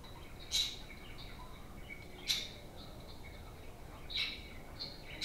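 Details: Playful budgerigar parakeets give short, bright chirps, a few sharp notes spaced one to two seconds apart, over a steady low room hiss.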